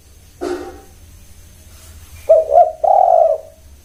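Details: Spotted dove cooing after a brief knock or rustle: two quick, rounded coos, then a drawn-out, even, low coo, over quiet background hum.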